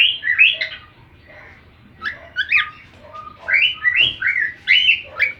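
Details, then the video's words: Domestic cockatiel singing to the sound of another cockatiel while learning new songs: scattered phrases of slurred whistles, some rising sharply, with short quiet spells between them. "canto ao som de outra calopsita"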